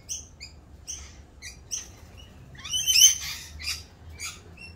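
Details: Rainbow lorikeets calling during mating season around their mating dance; short high shrieks spaced out, then a louder tangle of screeches and chatter in the middle before thinning to scattered squeaks.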